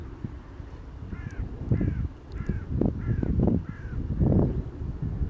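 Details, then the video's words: Anxious Eurasian skylark on a mown meadow at Middlewick Ranges, Colchester, Essex, 21 July 2024, calling for its lost chicks with a beak full of food: five short slurred chirps in a row, over heavy wind rumble. "Skylark searching for its chicks"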